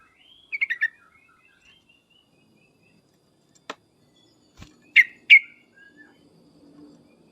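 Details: Sooty-headed bulbul lure call meant to make other birds answer at once: a quick burst of bright chirps near one second, faint thin whistles, a click, then two loud sharp chirped notes around five seconds.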